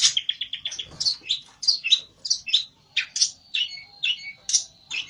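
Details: Olive-backed tailorbird in an agitated state, calling for a rival: an opening rapid run of short notes, then steady, loud, high chirped phrases repeated about twice a second.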